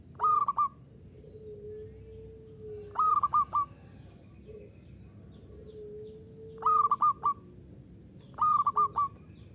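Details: Local zebra dove repeating its song four times. Each phrase is a short flurry of three or four crisp, ringing coos, separated by quiet stretches with a faint low drawn-out note.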